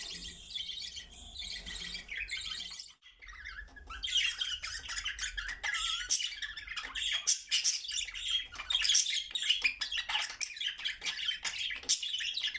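Budgerigars warble in a busy stream of chirps, squawks and quick chattering notes.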